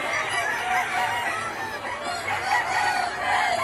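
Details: Many chickens, Vietnamese Gà Nòi, Gà Tre bantams and crossbreds, let out to forage in a broad yard; steady mass of clucking and murmuring calls.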